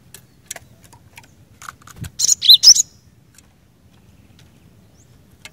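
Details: Vigorous 'gacor' song of a cinereous tit, said to set other cinereous tits singing: a tight burst of high, sharp, varied chirps lasting under a second, preceded by scattered clicks and taps, then quiet.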